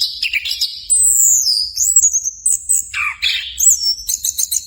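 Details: Anis kembang, the orange-headed thrush, sings a high drawn-out wavering whistle, then a deep plunging slur and bursts of fast clipped chirps repeated several times near the end.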